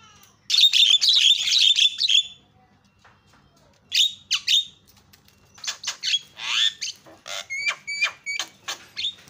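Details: Javan myna call used as a lure to start other birds calling: a two-second burst of dense harsh chatter, a pause, then repeated raspy notes and short whistled ticks.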